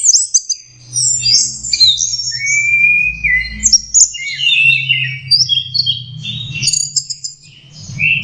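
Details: Young orange-headed thrush learning its song: a busy, unbroken medley of high twittering and slurred whistles, including a long descending whistle near the middle, over a faint steady low hum.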